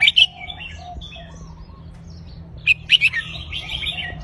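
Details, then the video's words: Red-whiskered bulbul kept in a cage, delivering its counted-phrase (nap dok) song in a repeating loop: two quick, bright warbled bursts separated by a quieter gap of faint chirps over a low background hum. "นกกรงหัวจุกนับดอก วนเพราะๆ หน้าฟัง"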